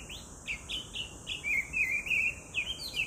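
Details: Chinese hwamei in song, July 2019: a string of fluty whistled phrases, short slurred notes followed by longer wavering ones, delivered about three per second above a continuous high insect drone.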